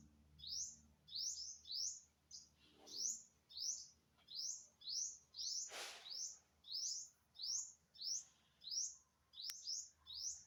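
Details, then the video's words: Unidentified bird, September 27, 2022, repeating thin, rising chirps, singly or in pairs, about every 0.6 seconds, with a loud brief knock midway and a sharp click near the end. "Successfully Recorded the Bird Sound"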